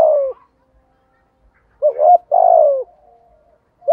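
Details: Caged decoy spotted dove in the 'giọng thổ' style of 'thúc gù' cooing. A falling coo tail is followed by a pause, then a rising hooted note and a long coo that sinks at its end.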